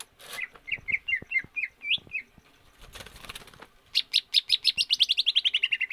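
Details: Greater green leafbird in stamina training without free-flight exercise, meant to lengthen its breath. Quick slurred whistles tumble out, a noisy pause follows, then a fast, steady train of sharp notes slides gradually downward.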